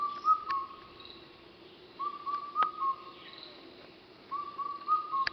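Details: Indian cuckoo (Cuculus micropterus) at Thattekkad, Kerala, late evening, 6 May 2012, repeats its four-note whistled phrase, each group of mellow notes coming about every two seconds.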